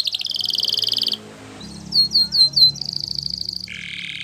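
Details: Singing yellow canary: a fast high trill, a pause over low background rumble, four loud clipped whistled notes, then a rattling rolling trill and a lower buzzy tour.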